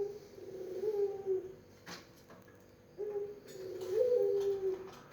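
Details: Barbary dove in pelung style, soft low coos: a wavering hum ending, a quiet gap with a click, then a two-part phrase of short note and rolling drawn coo.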